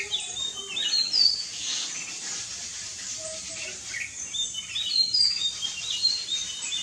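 Jungle myna giving scattered short, high whistled chirps and squeaky notes at an irregular pace, with a faint hiss of background noise.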